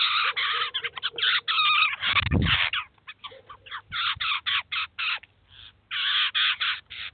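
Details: Adult Eurasian jay feeding its chicks at a cheese feeder in urban Kaluga, Russia; nearly continuous harsh, grating bursts repeated about four per second, with a low thud midway and a brief lull before the rasping resumes.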